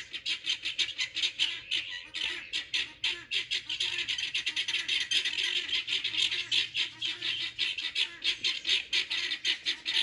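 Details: Flock of pearl guineafowl roaming a garden, loud with excitement: unbroken harsh, metallic squawking chatter in quick rhythmic pulses for the whole stretch.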